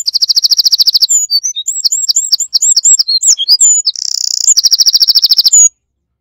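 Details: A Eurasian wren at its nest bursts into loud, very high song: a rapid rattling trill, a run of varied sharp twittering notes, then another fast trill.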